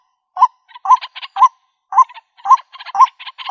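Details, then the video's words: White-breasted waterhen call used to lure birds into a trap in the countryside: a few spaced croaking notes, each rising briefly and followed by short buzzy stutters, with clear pauses between. "Bird Sounds White breasted Waterhen Bird ( Water Cock Soun)"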